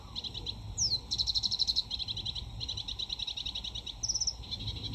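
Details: In full flow, a sedge warbler, summer breeding visitor to the UK, runs fast sequences of repeated high, buzzy notes, switching between rattling trills, a downslurred whistle and brisk chatter, with faint low background noise.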